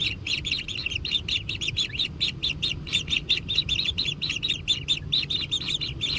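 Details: Natural-nest kingfisher chicks pleading for food as they are fed: clear, rapid sequences of sharp, rasping chirps, several per second, over quiet low background noise.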